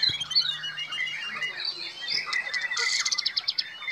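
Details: White-rumped shama of the black-tailed Black Devil type singing at a song contest: a rich flow of varied whistles ending in a fast, tight burst of rapid repeated clicking notes.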